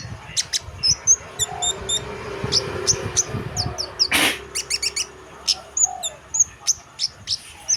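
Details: Actively singing chestnut munia: scattered very high, sharp, thin notes in short bursts, interrupted midway by a brief loud rustling crash, then a quick clustered run of high ticks and squeaky whistles.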